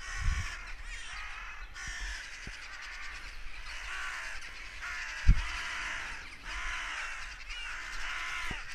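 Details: Crows raising a cawing alarm, apparently because a goshawk had been hunting. Rough, grating caws from several birds overlap in rapid runs, with short gaps between bursts. A few low thumps and constant low background rumble.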